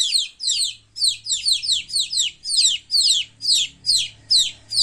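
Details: Playing baby chickens chirp in quick high downward-sliding peeps, sometimes doubled, about two a second, with a faint low hum underneath.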